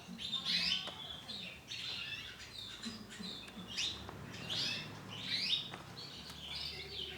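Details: Brown-coloured female canary chirping in short high bursts with swept, buzzy notes, interspersed with faint clicks and a low background hum.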